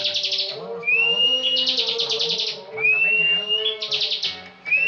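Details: Bar-winged prinia singing full ngebren for competition: pulsed buzzy bursts separated by thin rising whistles, roughly three phrases. A faint low wavering tone runs beneath the song.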